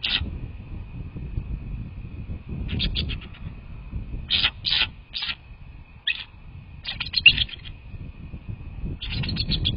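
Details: American bald eagles at their nest, on a live nest cam, 6 February 2024 at 18:20: bursts of high, thin chittering notes in quick series, repeated every second or two with pauses, over low rumbling background noise and a steady faint hum.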